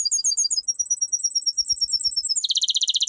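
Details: Domestic canary, caged songbird, singing for training: a very high, even trill of rapid repeated notes, switching abruptly to a lower, louder rattling trill.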